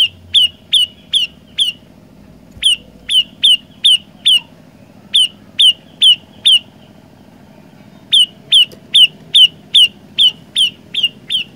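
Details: Olive-backed tailorbird song with three variations, given in bursts of four to seven sharp, falling notes separated by short pauses, over a soft background hum.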